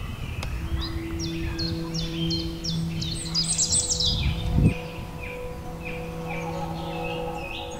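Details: A red and gray robin sings at dawn from a tree branch: a run of quick, high, thin chirps and short falling whistles over a steady low electrical hum.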